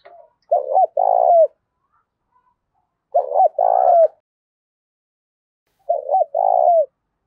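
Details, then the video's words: Decoy spotted dove with a loud Thổ Đồng-style voice, giving its full cooing song: three deep two-part phrases, a short stuttered coo then a longer drawn-out one falling at the end, spaced about three seconds apart. "Tiếng cu gáy mồi đủ bài giọng to tướng đẹp giọng hay giọng đồng thổ hay"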